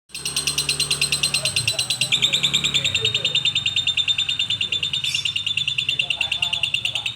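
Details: Lovebird singing in the koslet style: a fast, unbroken train of shrill, buzzy chirps, about three per second, with a steady low hum underneath.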